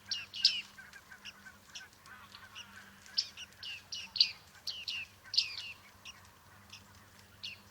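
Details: Bearded reedlings at Liepāja, Latvia, July 2023, keeping up frequent twangy 'ping' calls, falling in pitch, irregularly spaced with some doubled notes, over a low background hum.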